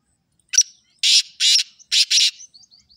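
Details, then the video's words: Loud rasping call of a black francolin. One sharp opening note is followed by four harsh, buzzy bursts: two evenly spaced, then a quick pair. Faint high whistles trail off after them. "Kale teetar ki aisi Awaaz ke Jungali teetar be bol pura"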